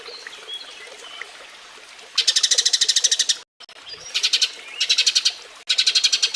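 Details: Eurasian tree sparrow giving its mating call, recorded as a model for training cage birds: faint notes, then bursts of rapid, high, clipped chirps in quick rows, broken by abrupt cuts and short silences between bursts.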